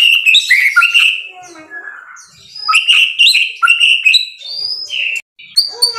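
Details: White-rumped shama (murai batu) song: bright whistled phrases and chatter, a quieter warbling stretch of lower notes, then sharp rising whistles again after a brief silent gap.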